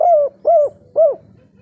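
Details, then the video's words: Spotted dove in full breeding condition, a call used to draw other birds into answering: three smooth, arched low coos spaced about half a second apart, each falling slightly at the end. "Derkuku kuk3 lokal gacor ngamuk suara empuk full birahi ampuh untuk pancingan"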